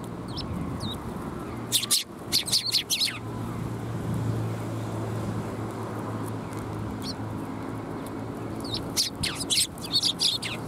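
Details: Sparrows gathering for food at Tenmangu shrine on 13 March 2021. Clusters of rapid high chirps come early and again near the end, with a single tweet between them and a low droning hum underneath.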